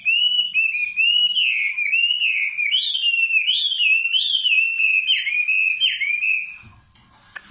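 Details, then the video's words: Nightingale singing: a loud, continuous warbled whistle that wavers up and down in quick rolling undulations for about six seconds, then fades to near silence with a faint knock at the end. "Singing nightingale. amazing bird song"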